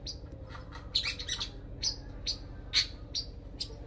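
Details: Long-tailed shrike singing, kept as training material: harsh, scratchy high notes and short squawks at irregular intervals, roughly one a second, over a constant low droning hum.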